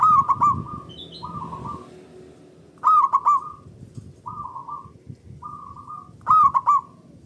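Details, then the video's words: Loud local zebra dove, used as a lure to make other doves sing: emphatic three-note stuttered bursts separated by softer trilled coos, repeating regularly every few seconds. "Pancingan Burung Perkutut Lokal Gacor Dor Bersaut Sautan $uara Keras Panjang"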